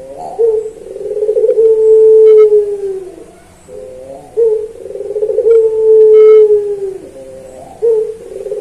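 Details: Puter pelung dove in a master recording for training birds. Two long, low coos, each about three seconds, hold steady then dip at the end. Each starts with short introductory notes and is followed by a pause.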